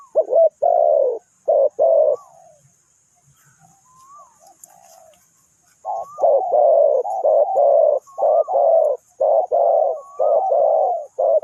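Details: Spotted dove kept as a decoy for trapping: husky short-long cooing phrases, a pause with thin upslurred whistles, then a dense run of rapid overlapping coos, suggesting more than one dove.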